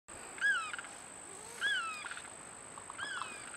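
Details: Limpkin at Viera Wetlands, Florida, gives three loud, wailing, rise-and-fall cries about every one and a half seconds, over a steady high insect-like whine and faint background hiss.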